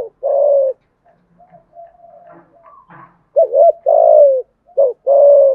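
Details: Spotted dove giving thúc gù coos in a deep 'thổ' voice, 'hạp bổi' style: a long falling coo, a stretch of soft murmured notes with faint rustling, then two paired phrases of wavering note plus sustained descending coo.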